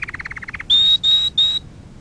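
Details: Canary singing on a lesson recording for training young canaries: a quick burst of rapid pulsed notes, then three long, clear, level high whistles separated by brief pauses.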